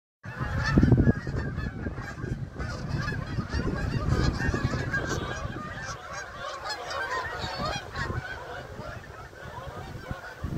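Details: Canada geese flying overhead, giving rapid overlapping honks several times a second, strongest early then fading, over a heavy low rumble like wind.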